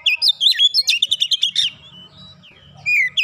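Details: Oriental magpie-robin song in the 'nembak rapat' style, a quick string of sharp, evenly spaced chirps on a swooping whistled line, followed by a softer, lower tail and one last bright slurred whistle.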